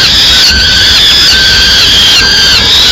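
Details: Peregrine falcon young in Madrid, fed a small bird by the female, scream insistently: shrill sustained wails with wavering pitch and strong harmonics, two callers overlapping continuously, loud close recording.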